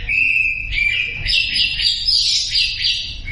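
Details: Lure song of a Sumatran leafbird, used to make silent birds join in: a held pure whistle, then a rising, jumbled burst of high twittering and slurred notes that stays bright and busy to the end.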